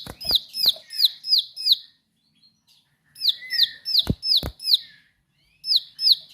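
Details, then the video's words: Bar-winged prinia giving sharp, piercing song in bursts of five high, falling, clipped notes, separated by short silences, with loud clicks between phrases. "Ciblek Sawah Gacor Nembak Suara Tajam"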